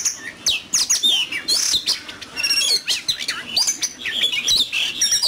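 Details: Oriental magpie-robin in a heated singing contest, pouring out a fast, dense jumble of sharp chirps, squeaky slurs and high whistles with barely a pause.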